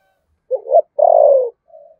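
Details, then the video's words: Brief cooing from a spotted dove in Đồng Nai, Vietnam, 'thổ sấm' voice and 'thúc gù' style. A wavering short note, then one sustained mellow coo sliding downward, trailing into a faint soft tone. "cu gáy giọng thổ sấm Thúc Gù bài bản chuẩn nhất Đồng Nai"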